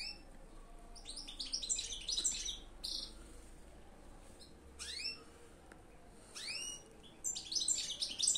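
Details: Song of a European goldfinch, made of quick high twittered phrases broken by separate upward-swooping whistled notes, coming in bursts with short pauses between them.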